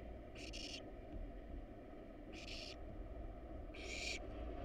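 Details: Wild barn owl nestlings in a monitored nest box, hungry while being fed a rat and a rabbit: three harsh, hissing, snore-like bursts, each about half a second, over a constant low hum.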